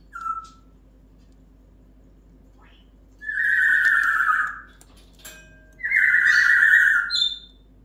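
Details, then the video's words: A Timneh grey parrot speaks in a nasal, human-like voice: a brief chirp, then two drawn-out spoken phrases of about a second and a half each, in a quiet room; phrases include "Loki fahren". "Timneh Graupapageien"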